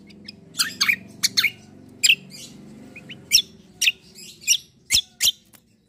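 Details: Black-winged myna singing in a fighting style: harsh, scratchy chirps and sharp clicks delivered in irregular bursts, with a faint low hum underneath.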